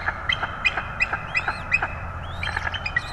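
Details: Bald eagle calling at a Florida nest holding two chicks, January 2022; rapid staccato chirps, roughly five per second, with a few upslurred squeaky notes near the end, over a steady hum.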